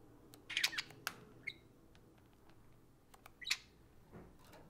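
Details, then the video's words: Pair of pet budgies socializing over an iPhone indoors, giving a few scratchy squawks and short chirps in small bursts separated by quiet gaps, over a soft background hiss. "Parakeets Socialize over an iPhone (Budgie Play Time)"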